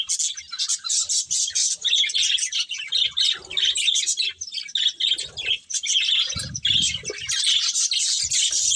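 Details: Colourful pet budgerigars chirping while eating: dense, continuous high twittering chatter with overlapping short chirps from several birds, plus a few low knocks and rustles.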